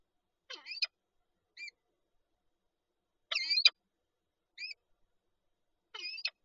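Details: At a Lublin, Poland nest holding an egg, 19 March 2022, a peregrine falcon gives short, rasping two-part calls mixed with brief squeaky notes, spaced irregularly over several seconds in silence.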